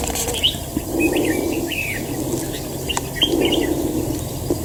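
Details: Trapped fighting red-whiskered bulbul giving brief slurred whistled phrases in two bursts, with wing flutters and a steady low background rumble.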